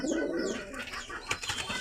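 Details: White High Flyer pigeons kept at home, a low, murmuring coo heard at the start, then fading under scattered higher chirps and light clatter.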